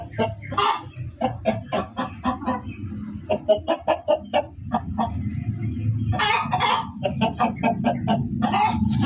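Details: Loud hen cackle, a chicken giving rapid, choppy clucks in uneven bursts over a steady low rumbling background hum, the calls growing denser toward the end.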